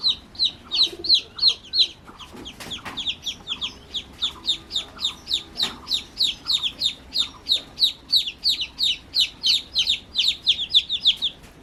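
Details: Baby chicks, newly hatched, calling in a steady stream of sharp, falling peeps, roughly three per second, with a short quieter break early on and soft background rustling.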